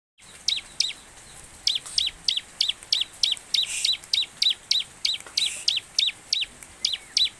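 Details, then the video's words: Bar-winged prinia, locally ciblek, singing in a lure recording meant to make birds sing: a rapid series of high, sharply descending chirps repeated about three times a second, with faint background hiss. "burung ciblek gacor|| pancingan ciblek agar cepat bunyi"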